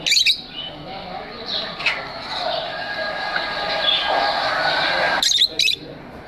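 Lovebirds chatter steadily in high, scratchy twitters, with several loud, shrill squawks at the start and near the end.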